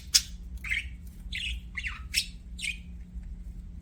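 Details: Budgerigar giving about six distinct short chirps, each a quick sharp squeak, some sliding downward, spaced roughly half a second apart against a quiet hum.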